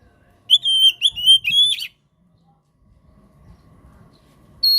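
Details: Oriental magpie-robin (kacer) in lively gacor song meant to stimulate kacer that stopped singing: several sweet whistled notes, each bending slightly up or down in a fast series, then near silence and a final high whistle.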